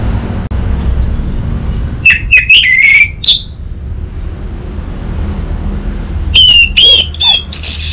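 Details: Orange-headed thrush, anis merah, master song from Singaraja in North Bali, used to spur an untrained bird to sing. Two separate clusters of clear whistled, rising and falling notes stand out over a low steady hum.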